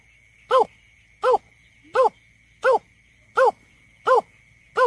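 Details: Greater painted-snipe calls used as a survey lure: seven short, evenly spaced arched hoots, each rising then falling, about every 0.7 seconds, over a faint constant tone and low hum.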